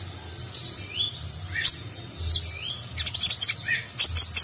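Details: Sunbird known as konin, singing a nagen-style song for training contest birds: thin high notes and a couple of rising slurred whistles, ending in a rapid cluster of sharp chips.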